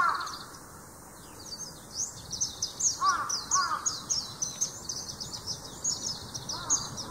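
A Large-billed Crow gives a few hoarse, mid-pitched caws, singly and in a close pair, over continuous high, thin twittering from small birds.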